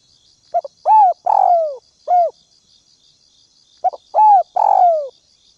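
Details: Decoy spotted dove on the ground calls to draw wild birds, repeating a soft phrase of brief clicks, a rounded coo, a long rough coo sliding down, and a closing coo, twice, with a faint high trilling buzz behind.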